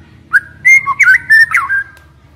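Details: Decoy white-rumped shama in a cage whistling a short varied phrase: clear sustained tones with quick slurs and downward twists, repeated in close succession over a low background hum.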